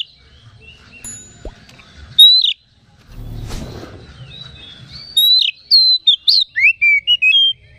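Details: Oriental magpie-robin song used as a lure to rouse other magpie-robins into excited singing: after a soft start and a brief noisy burst, a run of loud, clear whistled notes, some rising, some falling, delivered in quick separate phrases.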